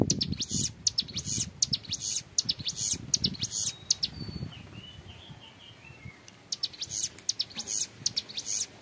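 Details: A young hill prinia gives long, clear ngebren song for tutoring: fast buzzy high bursts, then a pause of about two seconds with faint lower chirps, before the rapid high phrases resume amid soft low rumble.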